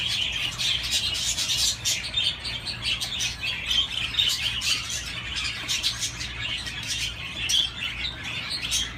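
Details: Budgies keep up a busy, unbroken warbling chatter of high chirps and scratchy squawks, many short notes piled on top of each other, over a faint low hum.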